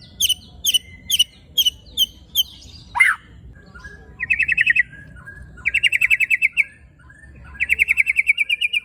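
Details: White-rumped shama in coarse-fill 'tembakan and besetan' style used to stir shamas' emotion: spaced sharp chips, one loud downward-sweeping whistle, then fast buzzy rattling trills in bursts.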